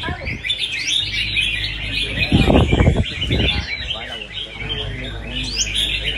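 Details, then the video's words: Several red-whiskered bulbuls in a singing contest pour out busy, chattering warbles with rising whistled notes, while low human voices murmur briefly in the middle. "CHÀO MÀO THI ĐẤU // Chào Mào Đấu Hót"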